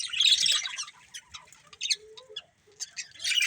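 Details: Colourful pet budgerigars forming a breeding pair: a loud chattering burst opens, followed by scattered short chirps and clicks, a soft low whistle, then a fresh chatter at the end.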